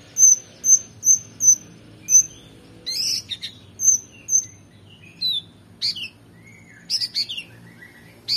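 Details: Oriental magpie-robin singing rich varied phrases to tutor competition birds: a row of five clear, piercing high whistles, then a jumble of chattering bursts and scattered notes at varied pitches.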